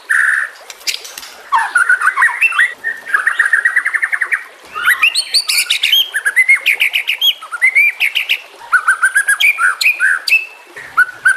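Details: White-rumped shama in a training recording mixed with nature sounds and trickling water: a rich, varied run of clear whistles, rapid trills and sharp chattering phrases, changing every second or so.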